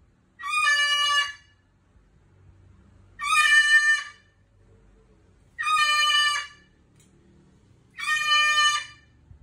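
A cockatoo gives four loud, harsh, grating screeches, each about a second long, repeated roughly every two and a half seconds, with faint low background rumble.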